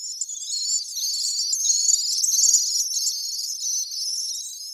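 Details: Several common swifts screaming together in a continuous, dense chorus of thin, piercing, high-pitched trills that overlap for the whole stretch.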